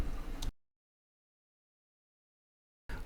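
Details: Brief low rumbling noise with a faint snap, then a long silence before the noise returns; no animal sound.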